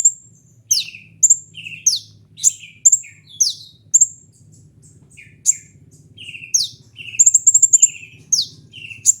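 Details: Kolibri ninja sunbird giving high piercing chips and swooping down-slurred notes mixed with lower buzzy ones, ending with a fast stuttering run of high notes.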